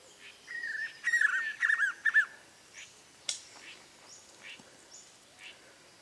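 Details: Spot-backed puffbird at Boa Nova, Bahia, Brazil: a quick run of clear, wavering whistled notes at middle pitch, bunched in a burst lasting about two seconds, then fainter scattered high chirps from other birds.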